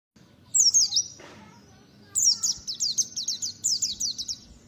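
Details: Caged white-eye kept as a songbird for gantangan contests, singing in the tight 'ngalas nembak tajam' style: rapid runs of high, sharp descending whistled notes, two bursts with a short pause between, plus a brief noisy knock.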